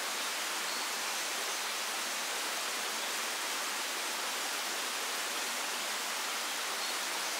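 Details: A steady broadband hiss, similar to a waterfall or static, runs unchanged throughout with no animal calls.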